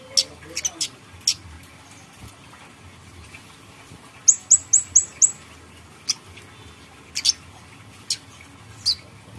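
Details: Bait song of a grey-headed canary-flycatcher, used to prompt other birds to sing: a brief burst of five quick, shrill whistled notes midway, surrounded by isolated sharp clicks.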